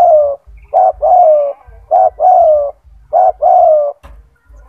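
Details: Master song of a loud, often-singing kept spotted dove for tutoring other doves: three repeated phrases about a second apart, each a brief low coo followed by a longer downward-gliding coo, with a soft rumble behind.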